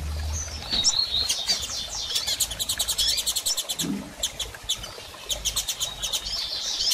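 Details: Double-collared seedeater female calling repeatedly to stir a male into song after moult: a brief high whistle, then rapid runs of dry clicking pulses with short pauses between runs.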